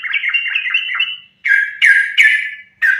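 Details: Sooty-headed bulbul in full fighting-style song, used as a lure to make other bulbuls sing: a run of warbling chattered notes, then three loud, bright, slurred phrases separated by short pauses.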